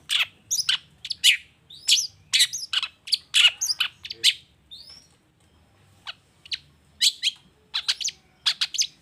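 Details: Long-tailed shrike singing, used to coax other shrikes into calling back; scratchy chirped notes in loose bursts, a short quiet gap, then more sharp chatter.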